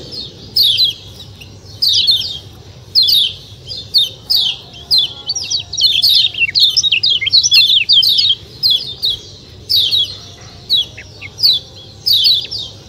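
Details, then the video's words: Kecial kuning white-eye singing a long series of sharp, high falling chirps. They come singly and in pairs, with a faster twittering stretch in the middle, over a faint low hum. "ciak ciak jos kecial kuning suara alam"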